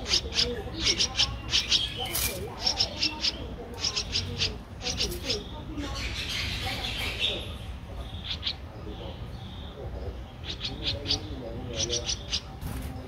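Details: A 13-day-old Streak-eared Bulbul nestling, recorded in Ubon Ratchathani, Thailand, 15 April 2023, giving fast series of high sharp chips in bursts, broken by a rushing noisy passage midway, then more quick chips.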